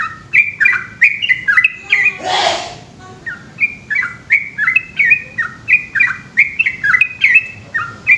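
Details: Night-time 'ropel' song of a yellow-vented bulbul from Indonesia: fast, chattering whistled phrases of falling and hooked notes, broken briefly by a harsh rushing noise before the bubbling run resumes.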